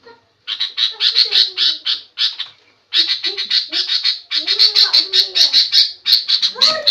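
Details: Sooty-headed bulbul making noisy calls said to anger other birds into answering; long runs of rapid, harsh chattering notes, broken by a short pause, with squeaky lower notes mixed in.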